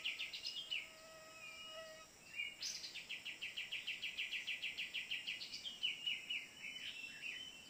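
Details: Cream-vented bulbul lured in a Borneo forest using a phone: short notes and a soft whistle, then a sharp high note opening a steady run of rapid chattering chips that fades into looser twitters, over insect noise.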